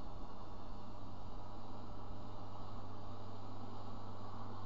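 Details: A steady low rumbling hum like distant traffic or machinery fills the recording, and no animal calls are heard.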